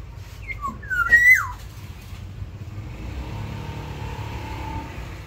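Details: Caged black-naped oriole in a mini aviary gives a short burst of liquid whistles, a rising slur and a falling swoop, followed by low rumbling background noise and a faint steady tone.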